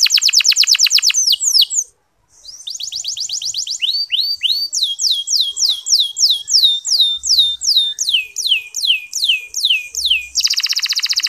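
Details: Training song of a local canary, meant to spur other male canaries to sing: rapid high trills, a short pause, then a run of sweeping downslurred whistles, ending in a dense buzzy trill.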